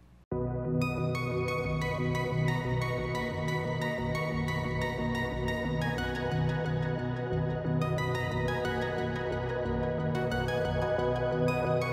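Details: Soft, sustained new-age music plays throughout, with no animal sounds.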